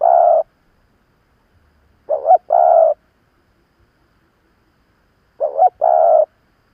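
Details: Experienced decoy spotted dove cooing to draw wild rivals: a long low coo, then two full phrases, each a quick wavering note and a held steady coo, spaced about three seconds apart in a quiet background.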